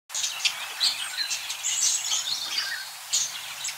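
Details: Single male budgerigar chattering while watching a pair of budgies, a dense run of high, scratchy chirps and squeaky warbled notes that continues almost without pause, with a faint low hum underneath.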